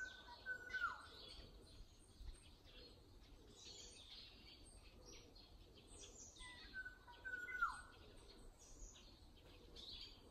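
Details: ['Unknown bird heard around a house yard and alley in early summer: two whistled phrases about six seconds apart, each a held note falling steeply at the end, with soft chirping birds behind.']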